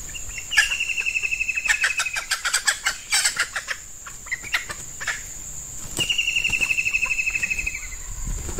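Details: Red junglefowl hen kept as a lure for wild males, in the hot weather suited to breeding. Loud clattering clucks and wingbeat-like bursts mix with two bouts of quick, evenly spaced high trilled notes against a background of insect drone.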